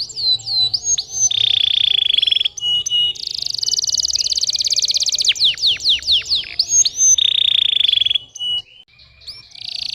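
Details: Canary song used as a lure to spur young canaries that are reluctant to sing: high whistled down-slurs, a steady buzzy trill, then a long shimmering rattle and a series of sharp falling notes, with a final sustained trill.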